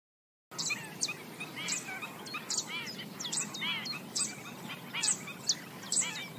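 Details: Black-winged stilts foraging along the banks of a swamp, giving yapping calls: quick arched, nasal yelps repeated in loose bursts, mixed with sharp high chirps roughly every second over a steady hiss.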